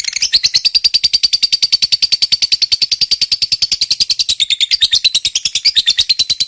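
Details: Lovebird in long ngekek song, played to coax quiet lovebirds into singing: a fast, continuous chatter of high, buzzy notes, several per second, running unbroken for over six seconds.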